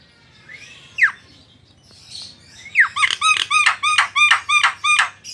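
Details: Javan myna singing to provoke other mynas into song: two single downslurred squawks, then a steady run of about ten harsh, descending notes repeated rapidly.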